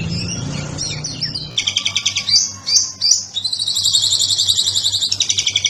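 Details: Oriental magpie-robin (kacer) masteran song, 'ngobra patah' style, Indonesia: soft chatter, then long buzzy rattling trills pulsing quickly, broken by two louder harsh notes, over a low hum.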